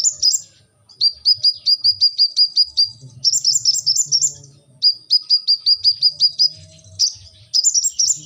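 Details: Brown-throated sunbird (kolibri ninja) singing lively 'gacor' song: bursts of sharp, high, evenly spaced chipping notes that fall slightly, delivered in quick runs of about ten, with short pauses between runs and a faint low hum beneath.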